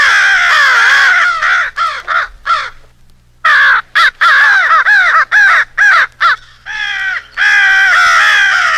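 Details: American crows in a rally call, a jumble of crow calls assembled into a crow fight with an owl, used for crow hunting: many harsh, nasal caws, often overlapping, in rapid bursts separated by short silent gaps.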